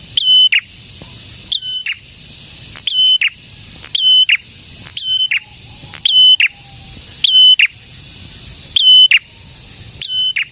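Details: Prinia, known locally as prenjak tamu or prenjak merah, singing energetically. Short clear high whistled notes end in a sharp downward flick, given in paired bursts about every 1.5 seconds, with a faint low steady tone in the background.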